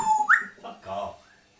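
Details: Pet African grey parrot indoors, swearing in mimicked speech: a bright whistle that jumps sharply upward, then a short, slurred, word-like phrase after a brief pause.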